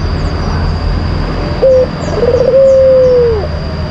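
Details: White collared dove lure song, a bird kept and entered in song contests in Indonesia: a short steady coo followed by a trilled note and a long level coo that bends downward at the end, over a constant background hum.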